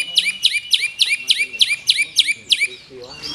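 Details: Black-tailed white-rumped shama repeating one sharp, high, ringing phrase nine times in quick, even succession, roughly every third of a second, before trailing into a softer warble. The song is strong and prominent.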